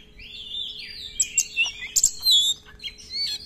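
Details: Oriental magpie-robin singing flowing, slurred whistles mixed with crisp high chips and short buzzy notes, a varied filler-style phrase sequence.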